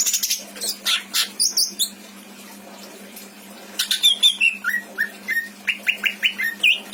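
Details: Kept greater green leafbird singing, its varied song used to tutor other birds: scratchy chattering bursts, a pause, then a run of short clear whistled notes repeated rapidly.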